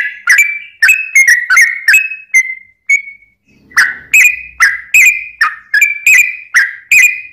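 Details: Sooty-headed bulbul in a long rapid-fire song used as a lure to make other bulbuls sing. Clear whistled notes rise and fall, delivered in quick bursts about twice a second, with a short pause near the middle.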